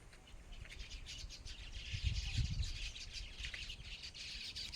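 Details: Birds chirping outdoors, a dense overlapping chorus of short high tweets with steady low rumble underneath, fairly faint throughout.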